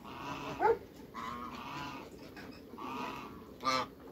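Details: A giant pair of African geese kept in a backyard among other waterbirds: two loud, brassy honks, one early and one near the end, with softer nasal calling between them.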